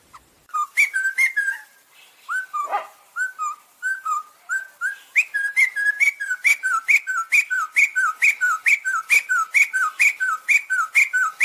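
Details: Sumatran laughingthrush, or black-and-white laughingthrush, gives a long, loud run of ringing whistled notes, each a short hooked slur, repeated about twice a second and quickening toward the end.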